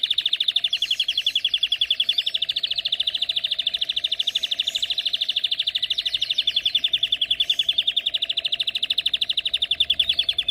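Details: Jasib canary singing a fast, steady trill around high pitch, notes repeated about two to three times per second in an unbroken rolling chain for the whole stretch, with a faint constant hum beneath.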